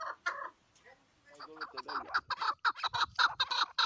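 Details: Chukar partridge calls: a few clucks, a short quiet pause, then a quickening series of sharp chuck notes building toward the end.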